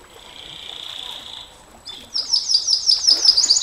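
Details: Canary singing in the long 'nembak panjang' style used for tutoring and provoking other canaries: a steady high whistled note, a pause, then a fast bright trill of rapidly repeated chirps about five per second.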